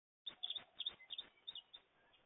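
American goldfinch giving a quick, twittering run of thin, high chirps, about eight in two seconds, soft and fairly even in pitch.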